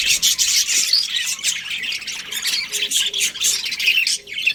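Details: Budgerigars, a breeding pair, produce fast, buzzy twittering with squeaky notes, loudest at the start and then pulsing in short bursts.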